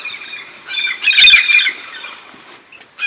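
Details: Red-spectacled parrots from a large flock migrating to Santa Catarina's highlands in southern Brazil for pine nuts; a few separate harsh, nasal squawks with clear harmonic bands, one loud grating outburst in the middle, then fainter calls.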